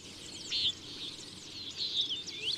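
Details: Common Nighthawk giving its short, urgent, nasal buzzy call, one loud note early and more toward the end, over thin high chirping and faint background hiss.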